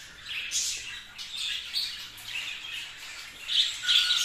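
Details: Captive budgerigars warbling in soft, raspy chatter with occasional sharper, high squeaks near the end.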